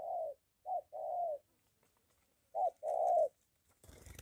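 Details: Spotted dove coos in Gia Lai, Vietnam, with a molting decoy bird and a wild dove near a home. Two short-long coo pairs separated by a silent gap, then a burst of rustling noise at the end.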